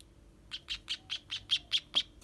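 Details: Baby sparrows being hand-fed beg with a rapid run of about eight high, thin chirps, roughly five per second, evenly spaced against a quiet background.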